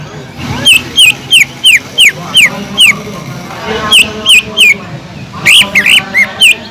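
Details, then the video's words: Greater green leafbird training song filled with tengkek udang (kingfisher) imitation: loud piercing downward-slurred whistles in steady series, roughly three each second, pausing then resuming, over a constant noisy background. "PANCINGAN CUCAK IJO GACOR ISIAN ISTIMEWAH TENGKEK UDANG"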